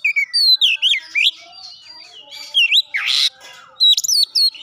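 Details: Oriental magpie-robin giving loud, clear whistled phrases mixed with gelatik batu mimicry, with sweeping notes, sharp chirps and one harsh rushing burst between phrases.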